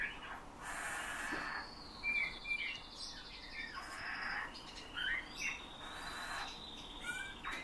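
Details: Eurasian bullfinch kept and trained by its owner to whistle his tunes, also borrowing nightingale and thrush song; long flat whistled tones stretch across, broken by rising slurs and brief chirps.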